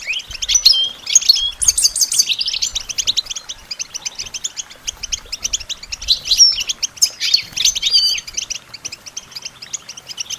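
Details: European goldfinch song meant for songbird training: a sustained stream of rapid high twitters with several louder, dense bursts, busy and almost unbroken for ten seconds.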